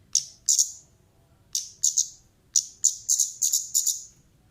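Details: Actively calling female orange-headed thrush, recorded as a lure sound for birds: shrill high chirps, first isolated, then clustered in rapid doubled notes, separated by brief silences with no other sounds.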